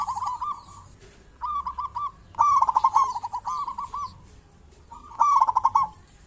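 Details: Lure recording of a local zebra dove meant to prompt other doves to call: soft trilled coo phrases, some loud and rolling, others quieter, alternating between near and more distant birds.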